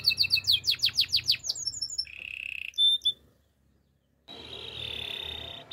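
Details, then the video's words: Singing Russian canary gives about eight rapid rising notes, a brief buzzy roll and a whistle, falls silent for a second, then resumes with a soft sustained trill. "Russian canary song"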